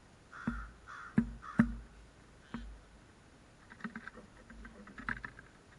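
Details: Crows, older birds from last year showing a new generation of young crows where snacks are laid out; four harsh, short caws in the first three seconds, then softer scattered clicks and tapping noises.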